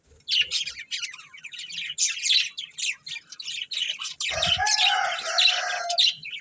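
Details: Several colourful budgerigars chirp in quick, high, scratchy bursts for four seconds, then one breaks into a louder, harsher, sustained warbling chatter that runs to the end.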